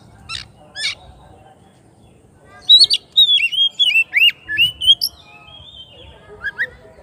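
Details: Oriental magpie-robin calling its rival: two sharp notes, a pause, then a fast run of rich slurred whistles and chips before fading into soft notes.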